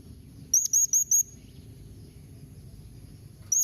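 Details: A blue-crowned hanging parrot's 'memanggil nembak mbeset' call, meant to get other birds answering: four rapid, thin, very high chirps, a silent stretch, then a single chirp at the end.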